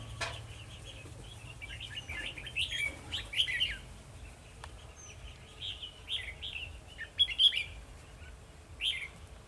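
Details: Red-whiskered bulbul used as a decoy during trapping on 2 December 2020, singing its fighting song against rivals: short warbled, chattering phrases in quick bursts, several clusters spread across the clip, with faint background hiss.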